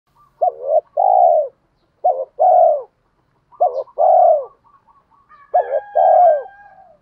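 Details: Spotted dove cooing as a lure to provoke wild doves into calling: three loud phrases, each a quick wavering double note then a long, low, slightly falling coo, with faint softer notes from another dove between phrases.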